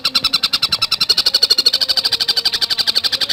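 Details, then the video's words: Javan cuckooshrike in a fast, dense song: a steady rattle of sharp, harsh high notes, about ten per second, keeping an even pace without a break. "Masteran Burung Tengkek Buto Gacor Speed Rapat"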